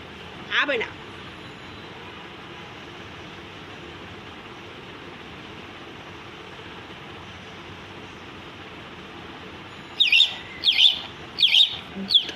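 A myna gives one harsh, high note, then after a long pause four quick squawky calls in about two seconds, over steady background hiss.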